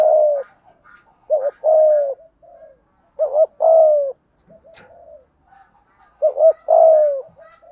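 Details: Decoy spotted dove, thúc gù style: three phrases, each a quick double note then a sustained low coo, with soft murmuring between and faint clicks.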